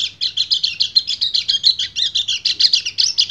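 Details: Male white-eye in breeding condition calling to a female, a continuous rapid high-pitched chattering warble of tightly packed trilled notes with no pauses. A faint low hum is in the background.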